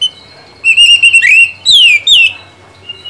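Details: Oriental magpie-robin (kacer) singing to prompt a stalled bird into song: a sustained level whistle, then sharp downward-sweeping and upslurred clear notes in quick succession, ending in a soft thin whistle.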